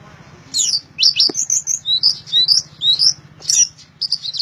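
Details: Orange-headed thrush giving a loud, fast string of high whistled notes, roughly two per second, varied and slightly wavering, over a faint steady low hum.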